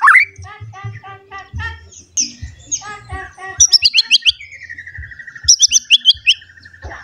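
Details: White-rumped shama, agitated and seeking a rival, in excited song: rapid repeated chips, sharp high sweeping notes, and a long level whistle, delivered in a varied rush.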